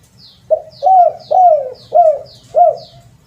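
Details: Spotted dove call as a lure: five swelling coos spaced roughly every 0.6 seconds, each bending up then down, while another bird gives thin high chirps between them.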